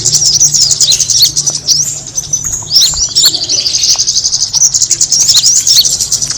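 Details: Kemade birds heard as an attracting call: a loud, steady mass of high chirps and quick slurred tweets from many birds, overlapping throughout, over a low background hum.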